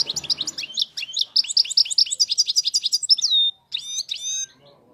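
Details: Wild-type European goldfinch said to sing without faults: a quick stream of sharp, high twittering notes at several per second, ending in a drawn-out sliding whistle and a short burst of chirps; faint low rumble at the start.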